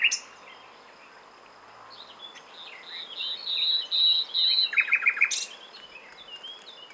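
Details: Common nightingale singing moderately loud, varied warbled notes and short whistles, then a brief fast stuttering series of repeated notes, with quiet gaps before and after.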